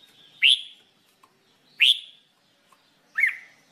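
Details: Red-whiskered bulbul singing for training: three strong rising whistled notes spaced about 1.4 seconds apart, each with a trailing tail, plus faint low clicks between.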